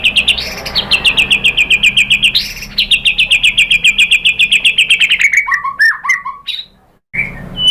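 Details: White-rumped shama lure song to make other birds answer: a long fast run of repeated sharp notes, several per second, then lower slurred whistles and a short high note after a brief silence.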